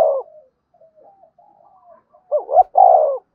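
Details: Spotted dove calling, a lure-bird style song; soft low cooing notes, a short opening coo, faint murmurs, then two stronger coos near the end.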